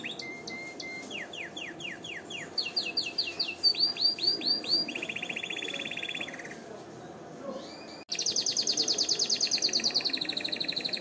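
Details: Canary song used for singing training and to stimulate females to mate: varied high tours of repeated notes, whistled slides, rapid descending sweeps, a steady buzzy trill, then a loud fast rolling trill after a brief break.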